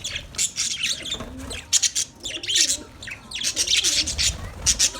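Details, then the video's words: Budgerigars in a colony chirping; dense overlapping high-pitched chirps and warbles from many birds, with sharp bright notes and low rumbling background noise throughout. "Budgies chirping sounds"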